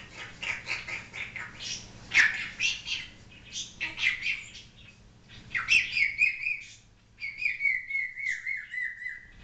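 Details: Captive African grey parrot making mixed imitated noises: buzzy chatter and squawks, then wavering whistles and a long falling whistle at the end, while its owner coaxes it to do a chicken.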